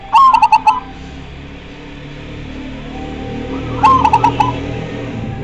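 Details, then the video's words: Two zebra dove song phrases nearly four seconds apart. Each is a short sliding first note, then four rapid, evenly spaced cooing pulses. A soft indoor hum sits underneath. "Majapahit super gacor suara nya bikin pada emosi dan pada nyaut"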